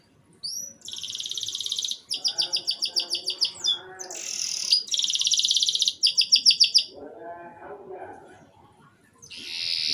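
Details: Canary song played to stimulate young canaries into singing, short broken phrases: fast buzzy trills and rapid repeated high notes, with pauses between bursts and a faint lower chatter beneath.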